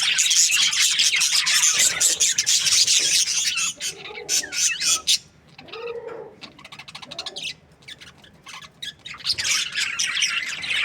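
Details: Budgies in breeding season: loud high flock chatter at first, then a quieter middle with softer lower warbling notes and clicks, before the busy chirping returns.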